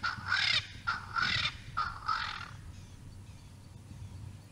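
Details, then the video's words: Swainson's spurfowl male calling at Naledi Cat-EYE on 10 November 2020, captured by a live camera: three or four loud, rasping, crowing syllables, each about half a second long, then the sound fades into low background hum. "Swainson's Spurfowl"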